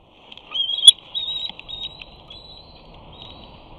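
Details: Young eagle at a nest, squealing as it tries to land and claim a fish its parent is eating. The calls are a run of thin, high whistled squeals, some rising and some level, packed close together, with a sharp snap of debris.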